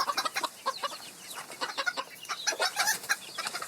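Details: Chickens in the wild, several birds heard giving brief, crisp clucks and a few short, squeaky, higher notes in an uneven, busy cluster of calls.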